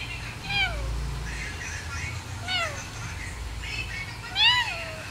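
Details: Parrot mimicking a cat: three short, harmonic meow-like calls, each sliding up then falling, spaced about two seconds apart, over a faint low background hum.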